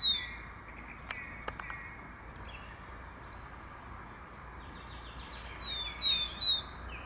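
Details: Willow tit singing in spring: clear, high, slightly descending whistled notes in a short repeated series; a song thrush is also heard.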